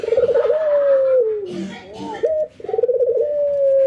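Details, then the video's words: Ringneck doves, an albino white and a local bird, laughing while nodding in training; quick vibrating pulses flow into a long coo gliding lower, then a short note and another pulsed coo. "puter putih albino versus puter lokal ngangguk dan tertawa"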